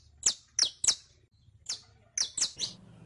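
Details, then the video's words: Brief saffron finch (canario criollo) song from a tutor recording for captive birds: three quick sharp high chips, a pause, one more, then a fast cluster of three. "ENSEÑA A CANTAR A TU CANARIO CRIOLLO CON ESTE AUDIO DE 15 MINUTOS [SICALIS FLAVEOLA]"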